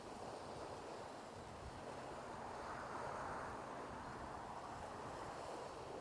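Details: Steady wind and surf-like rushing noise fills the spring morning at the bay, with no animal calls standing out.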